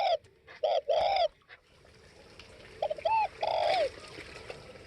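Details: Spotted dove cooing: a loud phrase of short and long hollow coos, then after a pause a fainter, rising-and-falling coo phrase set against a hissing background.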